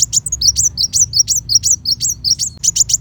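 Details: Kolibri wulung, Van Hasselt's sunbird, in 'tembakan besetan pedas' style kept as tutor song for white-rumped shama: very high, thin notes that dip and flick upward, repeated roughly every fifth of a second without pause.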